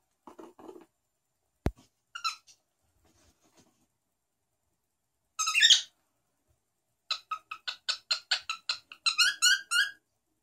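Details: Cockatiel named Garam greets politely, chattering bright, buzzy, speech-like syllables like "annyeonghaseyo", ending in a fast run of about a dozen rising notes, with a sharp tap and a soft low voice early on.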